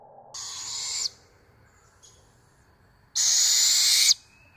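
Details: On a morning at feeding time, a Barred owl gives two harsh, hissing screeches, each about a second long, two seconds apart, with quiet in between.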